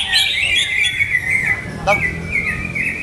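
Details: Greater green leafbird kept in a cage, its owner still testing its setting. Sustained warbling whistles with rapid wavering trills, one sharp click-like note midway, faint low background hum.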